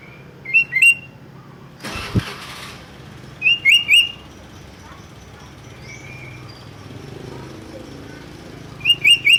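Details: Sooty-headed bulbul singing, a recording meant to draw other bulbuls into song: three short bursts of bubbly, upslurred whistles a few seconds apart, with a brief rustling thump and faint background noise.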